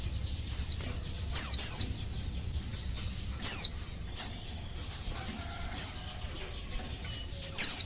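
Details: Calling female Oriental white-eye, a caged bird whose call is played to stir males into singing: sharp, high, downslurred whistles, about ten, in single and paired notes at uneven intervals, with a quiet hiss behind.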